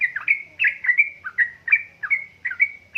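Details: Yellow-vented bulbul, described as a female calling to a male and used to stir lazy birds to sing: loud, steady, repeated bubbling phrases, each ending in a drawn-out whistle, about three every second.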